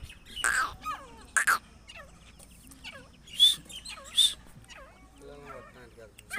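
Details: A female grey francolin, used as a calling lure for trapping, gives loud, harsh, ringing notes in irregular bursts, with many softer chirping, down-slurred notes between them.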